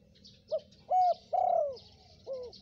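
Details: Spotted dove in lively calling, a recording used as a lure for wild birds: four low hollow coos, a short first note, a level second, a long third sagging at the end, and a softer falling fourth, with faint high chirps of other birds behind.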